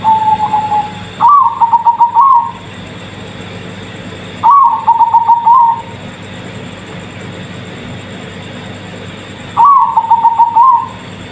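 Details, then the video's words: Bangkok-type zebra dove, described as exceptional, giving three cooing phrases several seconds apart, each a higher starting note followed by a quick run of pulsed coos, steady electrical hum underneath. "Perkutut Bangkok Istimewa"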